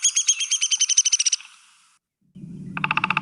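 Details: Downy Woodpecker, Ohio's most common and smallest woodpecker, giving a rapid run of about fifteen high, evenly pulsed notes over under two seconds, fading out; after a short pause a lower pulsing, music-like sound starts.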